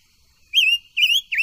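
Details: Silver-eared mesia song for voice training: two sustained clear whistled notes, slightly wavering, followed by the start of a falling third note.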